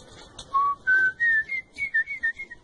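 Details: Troupial song played to teach a captive troupial to sing: clear whistled notes stepping upward in pitch, each held briefly, then a quicker run of short alternating whistles, in a quiet room.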